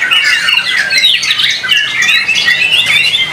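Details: Singing-contest white-rumped shama in Indonesia giving a loud, continuous jumble of high whistled slurs and rapid twittering notes, densely packed with barely any gaps.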